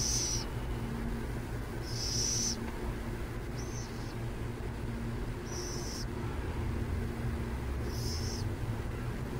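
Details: Raspy, breathy calls from burrowing owls near San Jose, sounding in short separate bursts every couple of seconds against a steady low-pitched background hum.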